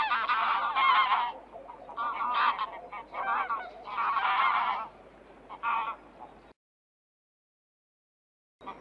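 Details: Geese honking in bursts of harsh, overlapping nasal calls from several birds, with quieter gaps, then silence before a final brief honk.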